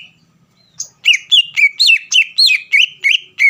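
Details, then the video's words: Greater green leafbird song used to trigger a rival bird: after a short quiet start, a regular run of rich, warbling whistled notes, about three and a half each second, each bending up then down. "CUCAK IJO GACOR MEMANCING EMOSI LAWAN AGAR LANGSUNG BUNYI"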